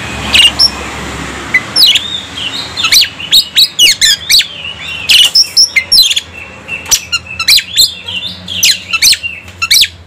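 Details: Oriental magpie-robin (kacer) singing while provoked and agitated: a dense, varied stream of bright chirps, rising and falling whistles and rapid repeated notes, nearly continuous after a quieter start, with light room noise.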